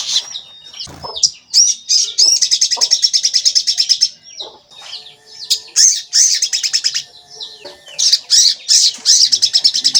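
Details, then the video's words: Lure recording of a crimson sunbird (sogon), said to call 'cuit cuit', meant to provoke sogon into singing. Rapid, high trilled twitters repeat quickly, with short sharp chirps between the bursts. "Pancingan Sogon Agar Bunyi dan Emosi"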